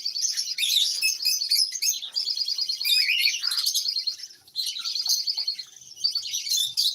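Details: Pet lovebirds calling together in continuous high, scratchy chirping with rapid overlapping twitters, dipping briefly into a lull after four seconds, then resuming at full strength.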